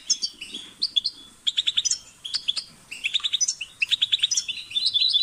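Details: European goldfinch song, a lively stream of high chirps, buzzy trills and tinkling notes in dense runs with brief pauses, fairly loud and continuous toward the end; faint low murmur underneath.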